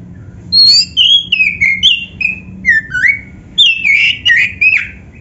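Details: Song of a black-breasted oriental magpie-robin used to draw out singing in other caged birds: a steady series of loud whistled slurs, rising and falling, broken by quick clicking chips.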